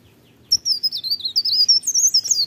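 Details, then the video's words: Mountain leaf warbler in morning song: after half a second of quiet, a loud, rapid run of thin, high warbled notes sliding up and down, continuing without pause to the end. "cikrak daun, pare pare, blerengan gacor pagi hari merdunya"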